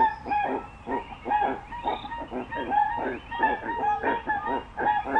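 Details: Crested guan giving loud, rough honks in quick irregular bursts, several notes overlapping, with brief gaps between groups.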